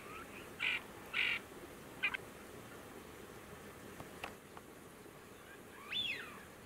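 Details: Ferruginous duck (Aythya nyroca) giving two short, harsh rasping notes, a brief click, then a fainter rising-and-falling note over soft hiss; Tablas de Daimiel National Park, Ciudad Real, Spain, August 2022. Finding: Ferruginous duck.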